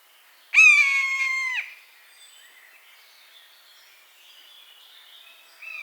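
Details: Buzzard, a bird of prey, calling in its natural habitat: one loud, clear, harmonic-rich whistle held level for about a second, then cut off, followed by quiet background with faint distant bird notes.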